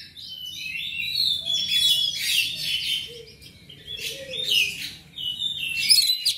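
An oriental magpie-robin sings a fast, unbroken stream of high whistles, sweet slurred notes and scratchy buzzes, changing phrase every second or so.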